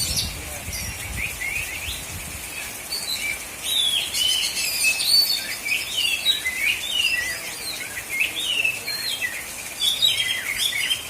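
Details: Contest bird in South Aceh, Indonesia, an Oriental magpie-robin (kacer), delivers a long run of high, varied whistled notes and chirpy flourishes, with faint crowd noise behind.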